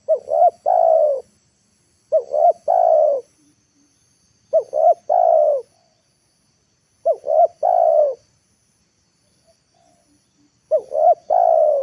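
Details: Spotted dove decoy calling steadily in the afternoon to draw wild birds down to the ground. Five phrases repeat about every two and a half seconds, each two brief hoots and a prolonged mellow coo. The background is quiet.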